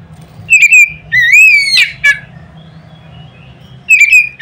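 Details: Loud song of an Oriental magpie-robin aimed at provoking others to sing: a clear whistle, a rising slurred phrase ending in a rasp, a sharp chip, a pause, then another whistled phrase.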